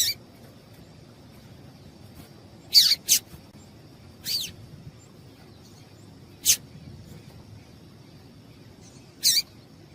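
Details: Female double-collared seedeater giving calls meant to excite a male, with six brief high-pitched chirps in ten seconds, some doubled in quick pairs, irregularly spaced, against a constant faint whine and quiet low rumble.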